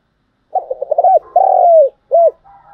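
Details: Spotted dove lure call used for trapping: a stuttering run of short low coos followed by a long drawn coo and a final brief coo, in otherwise silent surroundings.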